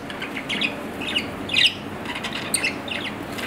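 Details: Pet budgerigar, an Australian parrot, producing a few short squeaky chirps and one louder raspy note over a faint steady background hum.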